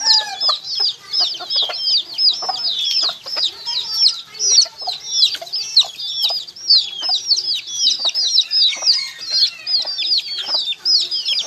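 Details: A crowd of baby chickens giving rapid, high, downward-bending peeps almost without pause, with light tapping and scratching sounds scattered throughout.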